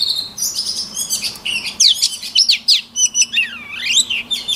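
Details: White-rumped shama singing for voice training, loud and rich: rapid buzzy trills and quick chirps give way to clear, swooping whistles that rise and fall in smooth arcs.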